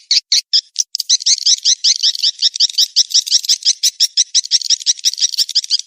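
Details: Swiftlet mating-chase lure call: a few separate high chirps, then a fast, steady stream of sharp, squeaky twittering notes repeated nearly three times per second.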